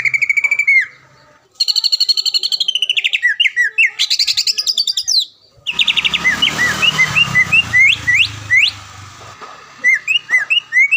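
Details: Training recording of a caged greater green leafbird that often wins contests around Palembang, pouring out loud varied whistles, rapid repeated notes and sweeping slurred phrases with brief pauses and a low hum in the middle.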